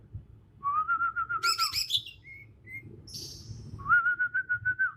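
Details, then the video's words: Kalimantan Bornean green magpie, young wild bird singing its natural song; a level trilled whistle, a harsh higher burst, brief whistles, then another long trilled whistle. "Suara asli alam cucak ijo kalimantan"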